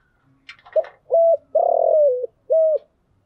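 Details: Lure call of a spotted dove used to draw in wild doves: soft clicks lead into a short coo, a long falling coo and a closing short coo, low and mellow.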